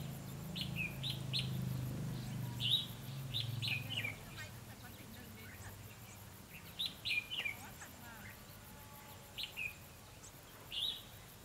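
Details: Red-whiskered bulbul decoy bird at a trap, singing competitively to lure wild birds in; short bright whistled phrases with quick upward and downward slurs, given in bursts separated by pauses, over a low hum early on and faint background noise.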